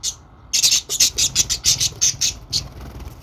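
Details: A quiet half second, then budgerigar chirps, harsh and high, tumble out in a quick even series of about ten notes before fading.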